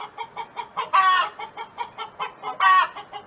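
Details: A neighbour's hen on a farm gives two long, bright, ringing calls, with a steady patter of short low clucks between them.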